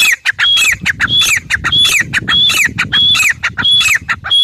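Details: Grey francolin calling steadily, a harsh squawking phrase with a bright whistled note and a falling tail repeated about every half second, set against a faint low rumble.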